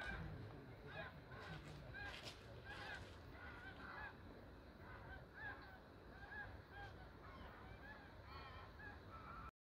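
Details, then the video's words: Flock of ducks flying together and calling, many overlapping nasal honking notes in a steady chorus, over a constant low rumble of wind or background noise. "Ördeklerin toplu halde uçuşu,ördeklerin sesleri.Flock of ducks.The sounds and crowing of ducks"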